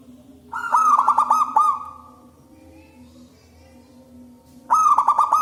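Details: Loud wild local zebra dove singing, recorded for luring doves: a bubbling run of fast, stuttered coos lasting over a second, a quiet gap, then another rapid cooing run.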